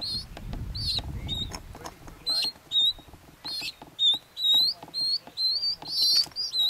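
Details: Galapagos mockingbird (Mimus parvulus bauri), Genovesa, Galapagos, Ecuador, May 2012: a varied run of high, clear, slurred whistles and chirps, about two a second, after a brief low rumble at the start.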